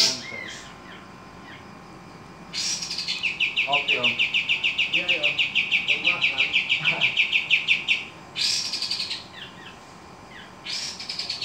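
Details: Javan kingfisher calling actively: a long, fast, buzzy rattle on one high pitch runs for about five seconds, framed by sharp upswept notes and short descending whistles, with faint background voices.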